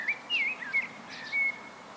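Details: Common blackbird solo song: a few brief fluty whistled notes with slight upward and downward slurs, separated by short pauses, over a quiet background.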